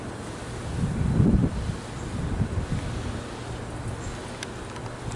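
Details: Strong wind buffets the microphone throughout, with low rumbling gusts rising and falling and no clear animal voice.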